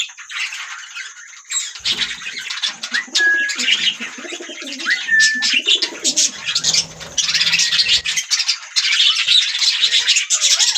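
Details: Budgie parrots in a busy chattering chorus after a quieter opening, mixing scratchy warbles, short upslurred whistles and steady chirps, with a faint low hum in the middle.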